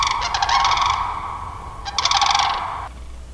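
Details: Pair of Sandhill Cranes beside two Canada Geese at Sax-Zim Bog, April, snowy early spring; very loud trumpeting rattle, a long rolling phrase then a second burst after a short pause, with low wind noise underneath.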